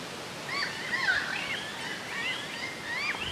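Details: Loggerhead kingbird (Tyrannus c. caudifasciatus) east of Camagüey, Cuba, 22 February 2017, giving squeaky, twittering chatters that rise and fall, notes overlapping as if several birds call together, over a soft outdoor hiss.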